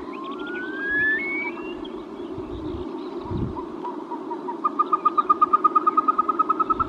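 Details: Caspian snowcock: a long rising whistle that climbs in steps, a quiet pause, then a fast, loud run of repeated whistled notes at an even pitch, with a steady low background rumble.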